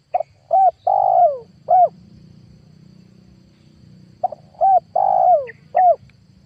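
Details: Spotted dove lure call for trapping wild doves, 2022: two phrases of mellow coos, each of short notes ending in a long, drawn-out descending coo, separated by a pause over a steady low hum.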